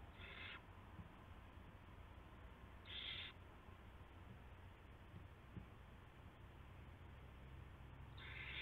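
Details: Owl at a nest around 5:20 in the morning, March 2016, with a mate bringing a rat; short harsh screeches are spaced a few seconds apart over a low hum.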